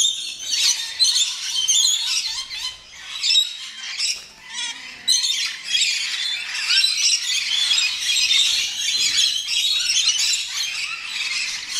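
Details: Rainbow lorikeets (Trichoglossus moluccanus) landing at West Midlands Safari Park shriek in a harsh, high, near-continuous chatter of grating screeches and squeals, several birds overlapping with only brief pauses.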